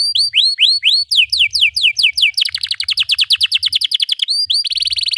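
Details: Canary song for teaching youngsters to sing: repeated rising chirps at a steady pace, speeding into a rapid series of sweeping notes, then a dense buzzy roll.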